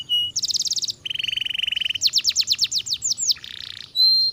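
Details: Canary in full song: a brief whistle, then a string of distinct rapid trills, each a different tour of fast repeated notes, ending with a clear high whistled note.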